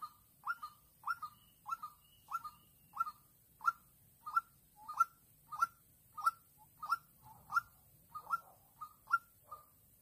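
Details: At Vĩnh Long on 16 March 2022, a young decoy white-breasted waterhen set out to trap birds calls at a combative wild female. Its clipped, mid-pitched notes repeat about once every 0.6 seconds and run fairly steadily, with a quiet background.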